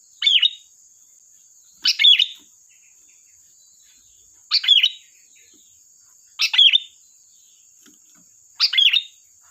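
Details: Lively sooty-headed bulbul song played as a lure, five quick bubbly phrases with sharp dropping notes, spaced roughly two seconds apart, a steady faint high whine running underneath.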